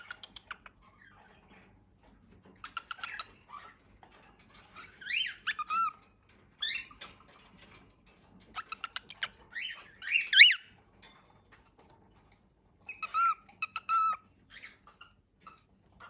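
A cockatiel warbles in short bursts of chirpy, whistled notes broken by brief pauses.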